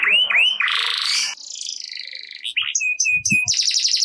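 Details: Canary song used to coax silent canaries: two looping whistles, then a rough, buzzy, noisy stretch, short clear whistles, and a closing high rapid trill.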